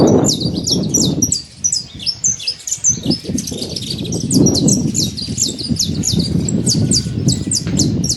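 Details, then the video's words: Wild saffron finch chirping freely outdoors: dense, high, clipped notes repeated rapidly throughout, over strong low-pitched wind-like rumble. "Canário da terra livre na natureza"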